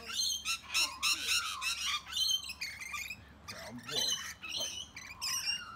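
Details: Rainbow lorikeets bullying much bigger birds, including sulphur-crested cockatoos and bush turkeys: harsh, shrill, harmonic screeches in rapid uneven bursts, several overlapping, with brief gaps between volleys.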